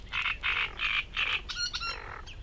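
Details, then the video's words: A Great Reed Warbler in the Matsalu reed beds, USSR, in a 1979 field recording, gives four harsh, rasping croaks in a row, then two sharper, tonal squeaky notes and a short final chirp. "Great Reed Warbler"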